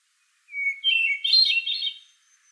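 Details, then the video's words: Hermit thrush song, one phrase: a clear held whistle, then a rapid, ringing cascade of fluty notes climbing higher, with no other sounds. "Hermit Thrush Song"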